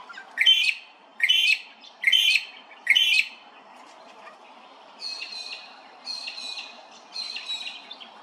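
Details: Grey-crowned babbler at Hervey Bay, Queensland, Australia, giving loud harsh squawking calls: four strong ragged notes about one per second, then three softer, higher nasal notes with a steadier pitch, over a quiet background.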